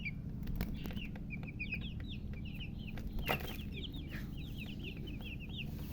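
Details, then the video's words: Just-born chicks chirping loudly: a steady stream of high, short, downward-sliding peeps from several birds, over a constant low mechanical hum. "Tot Murgi chicks chirping sounds Just Born Baby Gallina FRACAS Chicks Piar Loudly Sound"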